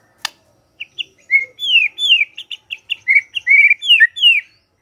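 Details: Shama song for morning use, intended to make quiet birds answer: after a click, spaced clear whistles follow, some rising and others falling, in short separate notes against a silent background.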